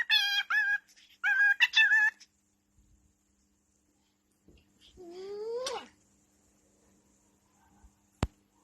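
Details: A male pet cockatiel sings two quick warbling, whistled phrases, then gives a single rising whistle; he sings happy tunes when given kisses.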